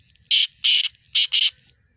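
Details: Black francolin call: four loud harsh rasping notes, two longer then two quicker ones close together, over faint low rumbling background.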